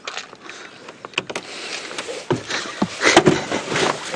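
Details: Vehicle movement with rattles, clicks and rushing noise that swells toward the end, with no clear animal voice.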